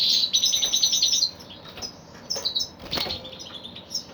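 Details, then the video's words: Male goldfinch (kalu putha) opens with a rapid, high, jingling twitter for over a second, followed by sharp clicks, rustles and a few short chirps. "Male goldfinch bird -kalu putha"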